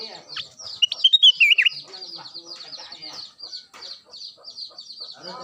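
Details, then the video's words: Kutilang emas, the Ruby-throated Bulbul, in lively daily singing: one bright warbled phrase dipping downward near the start, then dense rapid high chirping from surrounding birds. "Kicau harian kutilang emas gacor"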